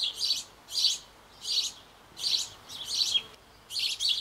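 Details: Sparrow chicks in a garden birdhouse on an old Bavarian apple tree, just before fledging, calling during a parental feeding visit. Loud, scratchy high chirps come in six evenly spaced bursts, each lasting about a third of a second.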